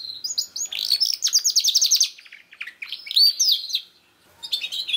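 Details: Young-canary prompt recording of canary song: fast trilled high notes rising into a rapid rattle, scattered chirps, a sweet whistled phrase, a near silent gap, then renewed chirping.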